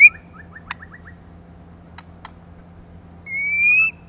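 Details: Female white-rumped shama used as a lure for males: a string of soft, quick, low whistled notes and a few clicks, then after a pause one long, pure, gradually rising whistle.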